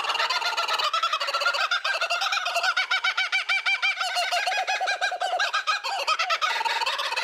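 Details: Kookaburra at a zoo, laughing territorial call triggered for visitors by QR code: loud, rapid, rolling chuckles and hoots rising and falling continuously, dense and harmonically rich throughout.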